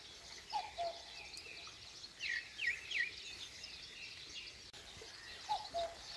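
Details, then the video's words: Common cuckoo at dawn in rural Korea heard twice, at the start and end, with a soft descending cu-coo, while other birds give sharp high whistles and chirps in between. "시골의 새벽녘 뻐꾸기와 새소리"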